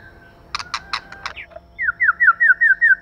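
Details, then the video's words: White-rumped shama song from a male and female: a few sharp clicks, then a quick string of even falling whistled notes, roughly seven per second. "Choè lửa mái. Choè trống + mái kích lửa.choe lua mai.pancigan muraibatu . 长尾快乐鸟.singing birds."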